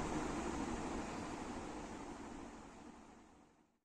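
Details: Steady broadband rushing noise, like wind, surf or a passing vehicle, fading away after about three seconds, with no animal calls.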